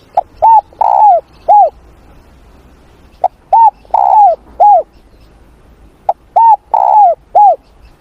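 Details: Spotted dove singing during morning voice training in Vietnam. It gives three repeated phrases of four coos: short clipped notes, a longer buzzy coo, and a final arched note. The phrases come roughly every three seconds.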